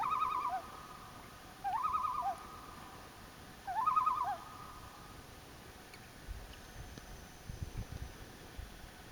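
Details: Common loon calling at a campsite by Elliot Lake, Ontario, in late July 2015: three laughing, rapidly warbling tremolo bursts, each about a second long and two seconds apart, then quiet with soft rustling.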